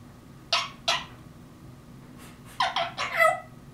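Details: African grey parrot imitating mockingbirds indoors: two short sweeping chirps, a pause, then a rapid run of three or four harsh squeaky notes.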